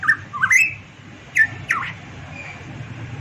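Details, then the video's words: Variable pitohui, a Papuan bird known locally as cucak emas, giving a brief burst of song: a rising whistled phrase followed by two abrupt, husky down-slurred notes, then a faint thin whistle, over low background rumble. "burung pitohui variabel gacor cucak Rowo Papua cucak emas"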